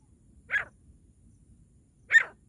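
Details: Partridge call used to lure partridges for catching: two short, loud, rasping notes about one and a half seconds apart, over quiet low background rumble.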